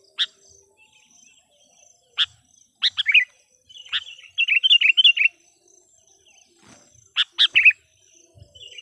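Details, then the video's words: Sooty-headed bulbul decoy in song to call wild bulbuls: scattered sharp notes, then a run of quick warbled, wavering phrases in the middle, then another burst of bright chirps near the end. "suara PIKAT KUTILANG gacor memanggil kutilang liar"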